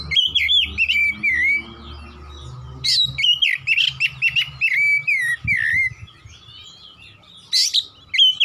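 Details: Oriental magpie-robin delivering 'nembak' song: continuous bursts of loud, looping whistles and harsh accented notes, closely spaced, with a faint low rumble beneath.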